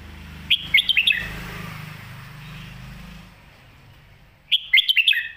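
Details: Caged red-whiskered bulbul from Thailand singing a full-repertoire song style, described as singing well with quick delivery, used to teach young birds. Two bursts of quick, bright whistled notes, the first near the start and the second near the end, with low rumble between.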